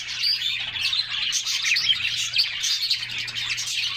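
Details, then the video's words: Group of canaries singing and splashing in a bath in summer: dense, continuous overlapping twittering and chirping from several birds, a busy unbroken wash of high notes with a faint low hum. "Summer Serenade: Canaries Singing and Splashing in a Refreshing Bath"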